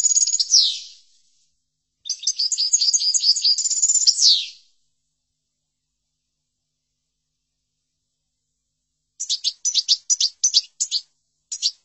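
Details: Training song of a European goldfinch: two liquid twittering phrases with downward-sweeping notes, a long silence, then a burst of separate sharp, clipped chirps near the end.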